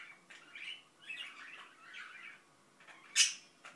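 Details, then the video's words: Indian ringneck parakeet kept as a pet, murmuring quietly: wavering, slurred chatter running for about two seconds, then a single sharp high squeak. "İndian Ringneck Börek mumbling"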